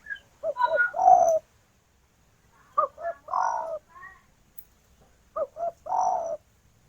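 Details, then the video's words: Spotted dove female calling to a male: low cooing phrases of two quick notes followed by a drawn-out purring coo, given three times with pauses. "Derkuku Betina Memanggil Jantan"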